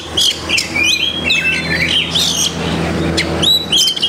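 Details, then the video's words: Oriental magpie-robin (kacer) song full of copied masteran phrases: clear level whistles, short scratchy squawks and sliding notes alternating in quick bursts, with steady low hum behind. "Banyak Masteran iNi Kacer"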